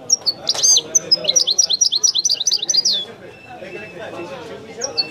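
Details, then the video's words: Wedani-style singing by a European goldfinch: sharp high whistles open a dense run of rapid, liquid rising chirps, followed by softer twitters against a low background murmur. "chant de chardonneret تغريد الويداني الأصيل"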